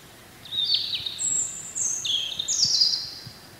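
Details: Wild European robin singing in spring: a series of clear, high, drawn-out whistled notes at shifting pitches, some sliding down, others held steady, with short pauses between them over faint background hiss.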